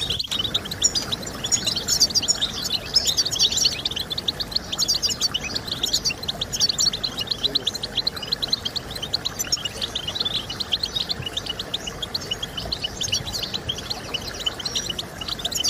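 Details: European goldfinch song played to stimulate other birds to sing: dense, continuous high twittering of quick chirps and trills, with several birds seemingly overlapping and a steady faint background hiss throughout.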